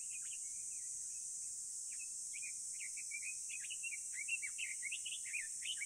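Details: House swifts nesting in a colony of about 200 under a building's rooftop eaves in central Tokyo's Surugadai. Quick high chirps and twitters run in a loose, busy string, thickening toward the end, with a steady high hiss throughout.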